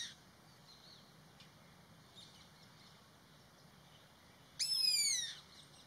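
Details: Indian pitta giving its alarm call: after a quiet stretch with faint background, a single harsh, rich-toned note sliding downward, lasting under a second, near the end.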